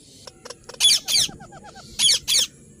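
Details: Ringneck parrot giving two pairs of loud, harsh screeches, with a soft run of quick whistled notes from another bird in between.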